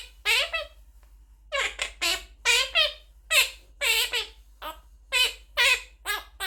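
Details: Baby Quaker parrot talking, saying many words in quick succession: short, speech-like syllables in a high, nasal voice, spaced by brief pauses, with one longer gap near the start, indoors.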